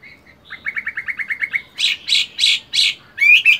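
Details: Caged Chinese hwamei, a fighting bird, in morning voice practice while moulting: a quick train of short repeated chips, then loud buzzy rasping bursts about every half second, ending in bright whistled notes.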